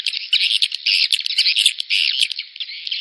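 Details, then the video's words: Edible-nest swiftlet lure call for the rainy-season breeding period: dense, overlapping high chattering chirps and buzzy trills, continuous with short gaps, sounding like a crowded colony. "SP Birahi Musim Hujan"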